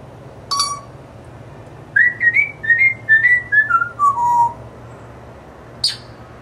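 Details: Pet African grey parrot indoors whistling the Chicago Bears fight song: a run of clear whistled notes stepping downward in a melody, with a short squawk before and after.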